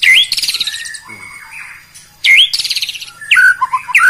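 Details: White-rumped shama song full of rapid bursts, played to provoke rival birds: loud, ringing whistled notes that sweep upward, each followed by quick buzzy trills, with a short pause before the phrases repeat.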